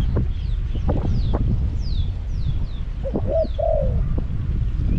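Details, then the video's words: Spotted dove, a caged decoy luring wild birds at Song Phi Nong, gives one short coo phrase near the end; before it, thin high descending whistles of other birds and scattered clicks are heard. "ต่อนกเขาใหญ่ EP302ลุ้นนกป่าที่สองพี่น้อง"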